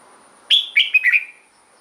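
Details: Red-whiskered bulbul song played to rouse caged birds or to serve as a decoy bird: one brief bright phrase of high whistled, slurred notes stepping downward, lasting under one second.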